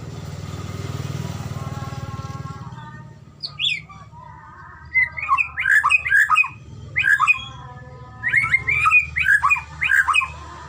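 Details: White-rumped shama in a recording meant to get shamas singing: low rumbling noise at first, then loud, varied whistled phrases in three bursts with sharp upward and downward sweeps.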